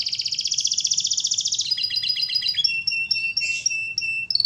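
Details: Canary in full song, masteran style: a bright fast trill that shifts into stuttering two-tone notes and clipped whistles, strong and continuous.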